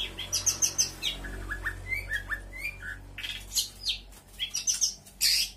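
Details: Mimicking song of a local long-tailed shrike from Lampung, Indonesia. Jumbled high chirps, slurred whistles and short buzzy bursts tumble quickly over a low steady background hum, ending with a loud harsh note.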